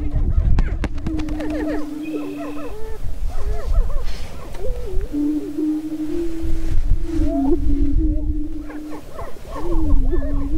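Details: Greater prairie-chickens on a lek in northwest Minnesota near Crookston, 27 April 2013, during the spring mating dance. A low hollow moaning boom holds steady for seconds, overlaid by many short arched whoops and cackles from several birds, with wind rumble.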